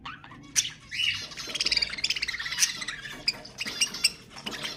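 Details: Budgerigar chatter played to stimulate pet budgies to sing: dense, scratchy warbling with rapid clicks, buzzy trills and sharp high squawks pulsing without pause.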